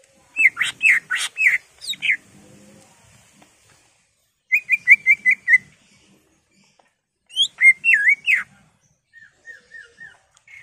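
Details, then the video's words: Greater green leafbird singing as a lure for caged birds: short bursts of clear whistled and chirped notes separated by silences, including a rapid run of even repeated whistles, a looping bent phrase and a final soft series of four notes. "CUCAK IJO GACOR EMOSI BONGKAR ISIAN NGENTROK/ PANCINGAN CUCAK IJO BIAR EMOSI"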